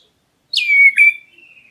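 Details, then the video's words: Oriental magpie-robin of the black-breasted type calling to provoke a response: one long, clear whistle gliding down and then held, broken by a short click, then trailing off softly. "KACER DADA HITAM MEMANGGIL, BURUNGMU LANGSUNG NYAUT!"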